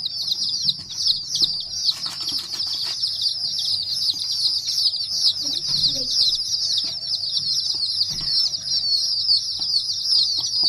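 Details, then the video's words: Chicks of domestic chicken giving constant high-pitched cheeping, many peeps overlapping, with scattered clicks and rustling. "murgi ke bache chote chote | Chicken chicks video | Chicken chicken free sound"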